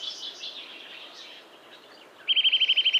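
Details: Eurasian nuthatch in a Finnish yard at Joroinen: faint, blurred background chirping, then a loud, fast, ringing trill of about eight evenly spaced notes at the very end.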